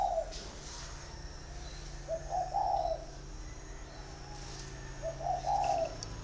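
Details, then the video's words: Caged male spotted dove, big-bodied, six years in a cage, Ba Vì, Vietnam, 'giọng thổ' voice: three low, burry coo phrases about every two and a half to three seconds over a steady faint hum. "bộ to giọng thổ 6 năm lồng chim trống 100%"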